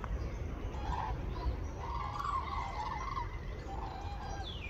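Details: Common cranes at Campo del Moro, Madrid, in late February as they leave Iberia for northern breeding grounds; distant rolling, bugling calls from a flock, several overlapping notes, masked by heavy low rumble and a brief high swishing sound near the end.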